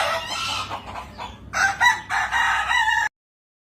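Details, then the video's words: Kukuak Balenggek rooster, a Minangkabau singing chicken known for its melodious, tiered multi-syllable crow, giving a loud harsh crow of several stepped syllables that ends abruptly after three seconds. "Ayam Kukuak Balenggek"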